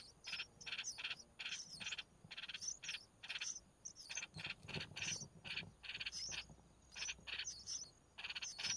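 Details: Red-whiskered bulbul mother feeding her chicks, with a steady stream of short, scratchy, buzzy bursts in quick succession, each topped by a sharp high whistle, continuing throughout with only brief gaps.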